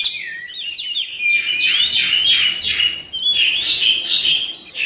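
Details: Oriental magpie-robin song used as a therapy track to make birds respond quickly, sing and open the tail: bright whistled phrases with sliding notes and rapid warbled bursts running continuously, over faint background hiss.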